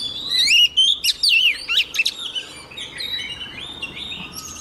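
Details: Female Oriental magpie-robin song meant to trigger male singing: quick loud slurred whistles and sharp chips at first, fading into softer warbled notes and a thin high tone, with steady hiss behind.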